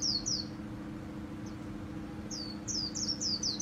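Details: Vietnamese 'khuyên líu' singing by a kept white-eye, a 2019 showcase bird: a brief pair of high descending notes, a lone faint note, then a quick run of five or six thin, falling whistles against a constant low electrical hum.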